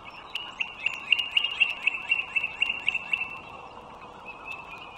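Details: Bald eagle, wild, at a nest in northern Virginia on a March 2023 morning: squeaky, high-pitched piping notes in a fast, fairly even run lasting over two seconds, then a softer note, over steady road-like hum.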